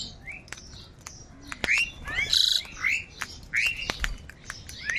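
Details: Crows squabbling over food: harsh squawks and rising, strained calls, with a raspy burst in the middle, mixed with sharp clicks and thin chirping from other birds.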